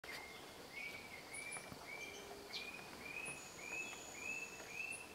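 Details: A courting pair of Brown Tinamous (Crypturellus obsoletus) after duetting on a Brazilian morning gives short, clear, slightly rising whistles about twice a second, steady in pitch; faint high insect buzzing and distant bird chips behind.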